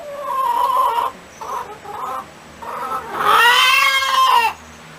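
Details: Cackling hen: a few short, clipped nasal notes in quick succession, then a pause, then a long, loud, drawn-out squawk that falls away at the end.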